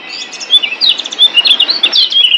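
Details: Lombok yellow white-eye master song for coaxing caged birds into singing: quick high twittering notes, short slurred whistles tumbling up and down in a dense, rapid stream.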